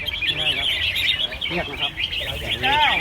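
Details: Red-whiskered bulbuls competing in a bird-singing contest at a field in Ban Khao Din, Chonburi, Thailand; a dense chorus of quick, warbled chirps from many caged birds, with men talking in the background.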